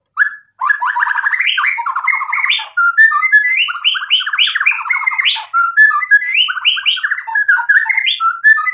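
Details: Long, continuous white-rumped shama song full of filler material, loud varied whistles, slurred rising notes and rapid trilled phrases without pause.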